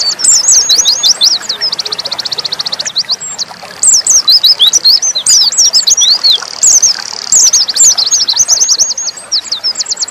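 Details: Oriental white-eye (pleci dakun) delivering nembak song: opening twitters lead into a long rapid trill of evenly repeated high notes, then excited swooping whistles and more fast trills.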